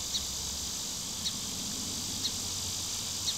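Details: A song sparrow perched atop a pine tree gives short, sharp chip notes about once a second, over a loud, steady, high buzzing of insects.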